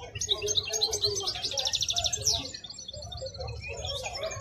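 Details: Wild-caught European goldfinch singing at Griaa bird market: fast liquid twittering with rapid buzzy trilled runs and sharp high notes in quick succession, over a low murmur of market noise.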